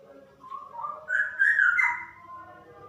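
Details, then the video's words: Female straw-headed bulbul, a caged bird, singing a flowing, rich, whistled phrase that rises to a loud peak and then falls away, over a faint low hum. "Burung Cucak Rowo Betina Super Ropel"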